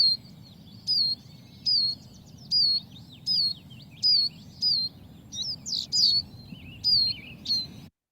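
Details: Eurasian siskin, a woodland bird often in groups, giving its call. A clear, high, plaintive whistled single note repeats constantly, about every second, each note bending down then up, with a few twittered notes mixed in.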